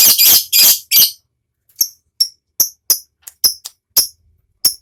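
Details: Lovebird giving ngekek song, used as a lure to excite other lovebirds: opens with loud grating chatter bursts, then a string of short high squeaky chirps spaced irregularly.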